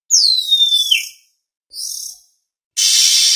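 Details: Oriental magpie-robin (kacer) sound used to lure birds for trapping: a high whistle glides downward, a softer short burst follows, and then a harsh, buzzy rasp begins.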